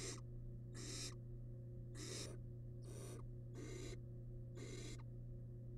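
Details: Wild barn owl nestling in a monitored nest box, feeding on large rabbit remains: harsh broadband hisses, each under half a second, repeated roughly once a second over a steady low electrical hum.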